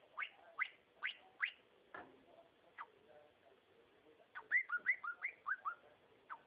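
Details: Pet cockatiel singing: bright whistled notes sliding upward, a quick cluster of four, scattered single notes, then a rapid run of rising and falling whistles near the end, over a quiet background.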